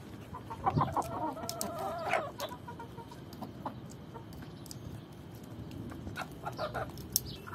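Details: A Swedish rooster courting a hen gives one drawn-out, harmonic call lasting about a second and a half, then scattered soft clucks over a steady rustling background.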